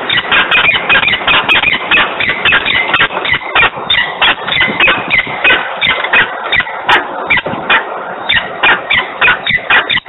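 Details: In Włocławek on 3 December 2020 at 10:36, a peregrine falcon screams almost nonstop. Rasping, strident notes come in a dense, rapid series with only short pauses throughout.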